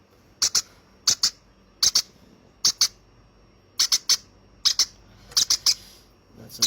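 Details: Hand-raised baby conure repeating paired shrill chirps at a steady pace, roughly one pair every three quarters of a second, with occasional triple bursts.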